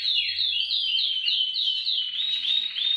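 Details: Canary singing in a recording to stimulate other canaries: a clear series of high, whistled, downslurred notes repeated about three times a second, merging into a smoother rolling trill at the end.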